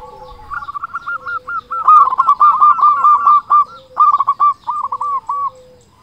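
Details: Zebra dove, local bird with a loud voice, used to coax doves into singing: a fast, dense run of rolling, warbling coos with stuttered starts, briefly pausing near four seconds before a further burst and trailing series.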